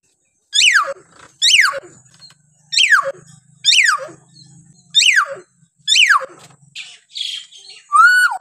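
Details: Hill myna voice variations recorded as a model to get reluctant or silent mynas singing: six sharp descending whistles in a steady series, a brief harsh note, then a final arched whistle, with a faint low hum beneath.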